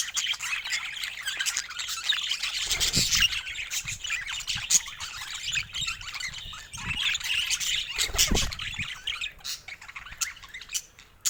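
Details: Pet budgerigars chattering together in a dense, continuous stream of high scratchy warbles and chirps, with a few low thumps near the third and eighth seconds.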